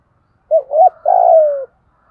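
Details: Spotted dove 'thúc gù' cooing, a decoy call to prompt caged birds that won't coo: one phrase of a wobbling double note running into a longer, slowly falling throaty coo.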